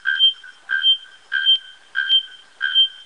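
Five loud, ringing metallic notes, each paired and about half a second long, struck roughly every 0.6 seconds at a steady, hammer-like pace.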